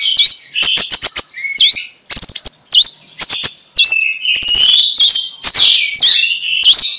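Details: Oriental magpie-robin singing in ngeplong style at dawn as a lure for quiet magpie-robins: rapid clicking trills, upswept whistles and sweet warbling phrases, loud and continuous, with short gaps between bursts.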